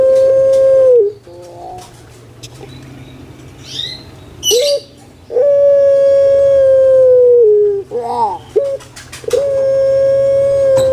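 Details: Pet puter pelung dove of Java, Indonesia, alternates long droning coos of about two seconds with brief hoarse warbling phrases, three long tones in all.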